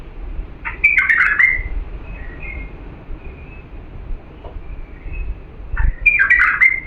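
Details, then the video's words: Bulbul of the authentic Diyala type singing for young birds to learn from: two rich, slurred warbled phrases six seconds apart, with faint twitters between and a low rumble of background noise. "افضل تغريد بلبل ديالى الاصيل لتخريج الافراخ"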